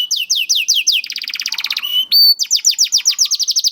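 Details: Young canary song to encourage reluctant canaries to sing: quick high downslurred notes, a rattling trill, a brief steady whistled note, then rapid repeated swept notes.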